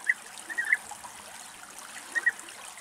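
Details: A European bee-eater in Greece gives short, rolling, mid-pitched notes: a pair, a quick burst of three, then another pair, over a faint watery background hiss.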